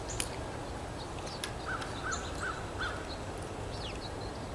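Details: Real-time outdoor recording of a blue jay: four short, evenly spaced calls in a quick row near the middle, among scattered high chirps from other birds and steady background noise.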